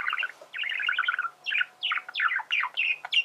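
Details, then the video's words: A male budgerigar warbles, a quick chattering run of tight buzzy notes giving way to a series of descending squeaky chirps, roughly three per second, with a faint steady hum beneath. "فيديو ممتع لتغريد ذكر بادجي"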